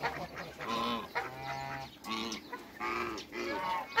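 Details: A pair of African geese in a backyard with other waterbirds: a series of nasal, harmonic honks, each lasting about half a second, given in four bouts over a few seconds, with a low hum in the background.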